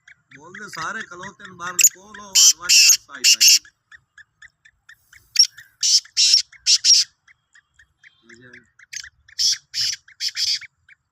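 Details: Sindhi black francolin calling on 16 March 2023: harsh, buzzy bursts in quick groups of three or four, spaced by short pauses, after a man's low voice at the start.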